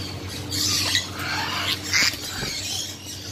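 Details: Tame African grey parrots producing two or three drawn-out hoarse squawks with scratchy, broadband texture, fading off at the end, a low constant hum in the background.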